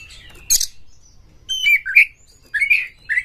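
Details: An Oriental magpie-robin in fighting mood gives a harsh scratchy burst. After a pause come mellow, slurred whistles that rise and fall in short phrases, separated by brief silences.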